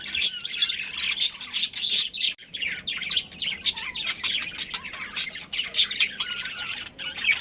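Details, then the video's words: A breeding pair of pet budgies chirping steadily, rapid scratchy tweets and short squawks in dense runs, with a soft low hum beneath. "Adorable Budgies Chirping Sounds"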